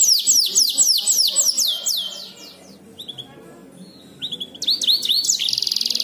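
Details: Complex canary song meant for tutoring other songbirds. Rapid repeated downward-sweeping notes open the phrase, then a brief lull with thin whistles, followed by looping up-and-down notes and a fast rattling trill.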